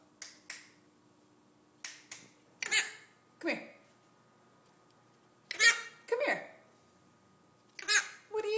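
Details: Pet Hahn's macaw chattering indoors, talking to anyone who will listen: short bursts of squeaky, speech-like syllables and clicks separated by pauses, with a person's voice nearby.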